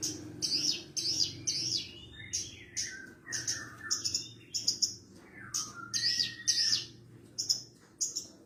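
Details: Javan bush lark singing, a recording used as a master to train other larks. Varied high chirps and short whistled phrases, some rising and falling, others slurred lower notes, delivered in quick bursts about twice a second.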